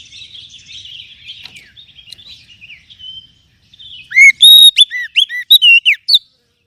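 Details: Magpie-robin (kacer) lure song: a low-volume, scratchy, continuous warble for four seconds, then a sudden string of loud, ringing whistles, short swoops rising and falling, repeated quickly before stopping.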